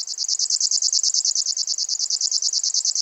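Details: Fast mechanical reel from a grasshopper warbler of the genus Locustella, a thin high buzz broken into regular pulses about eleven per second, steady and loud across three seconds of otherwise quiet sound.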